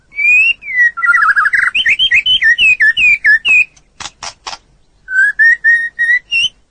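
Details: Long training song of a white-rumped shama: a sustained clear whistle, a warbling run of quick up-and-down whistled notes, three sharp harsh bursts, then a row of short level whistles rising at the end.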